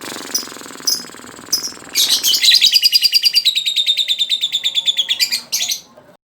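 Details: Two-month-old young lovebird learning to trill (ngekek): a few short high chirps, then a loud, rapid, buzzy pulsed trill lasting about three and a half seconds, steady and slightly falling in pitch, cut off abruptly.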